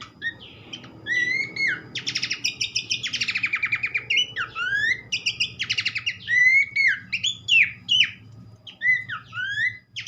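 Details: Horsfield's babbler in full song as a therapy recording to prompt other babblers: mixed rising whistles and dense rapid trills, repeated in bursts, with faint low hum underneath.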